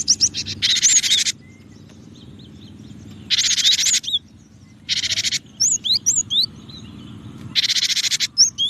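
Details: Cinereous tit with loud, broad, harsh rasping bursts alternating with sharp, high whistled notes that rise and fall, heard against a steady low rumbling background.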